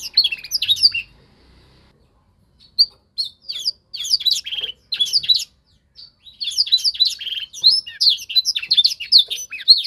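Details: Young canary in singing training to copy a tutor: bursts of fast, high twittering warbles separated by short silences, building into a longer continuous stretch of chirps at the end, with faint low rustling early on.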